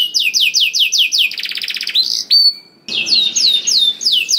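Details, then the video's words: Canary in full, vigorous song, used to coax reluctant canaries into singing: rapid series of high downslurred whistles, then a fast buzzy trill, a brief pause, and more repeated falling whistled notes. "KENARI GACOR DOR INI MEMANCING KENARI YANG SUSAH BUNYI JADI IKUT GACOR"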